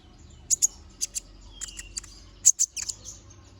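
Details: High, sharp paired chips and a short thin whistle from a little spiderhunter (konin), uttered in small clusters separated by brief gaps.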